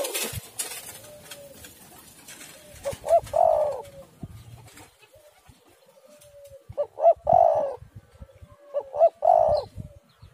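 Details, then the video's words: A spotted dove, used as a lure recording to prompt other doves to call, gives three low, soft cooing phrases about two seconds apart, each a short hoot or two leading into a longer rolling coo, over faint background hiss. "tekukur super gacor suara burung derkuku"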